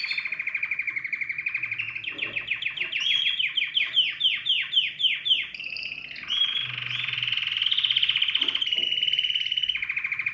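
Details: Canary with a strong, clear voice singing to stimulate other birds: a rolling trill, a series of loud downward-sweeping notes about four per second, then long buzzy trills.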